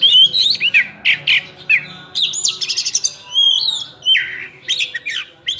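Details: Lively oriental magpie-robin song in full-isian style, rich with learned phrases: loud harsh bursts alternating with slurred whistles, a quick high rattle, and sweet downslurred notes.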